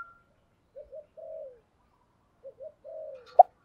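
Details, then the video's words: Decoy spotted dove gives soft, low, repeated cooing notes to attract wild doves: two short notes and a drawn-out falling coo, twice, then the start of a louder call. "chim cu mồi thúc đấu và gáy gọi kích bổi rất xiêng gáy. bảo đảm bổi nghe gáy theo liền"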